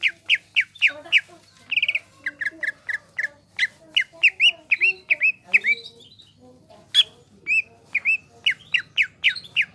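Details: Vigorous greater green leafbird singing, a varied stream of sharp chirps, buzzy trills and upslurred whistles delivered in rapid bursts with short gaps, over a faint low hum.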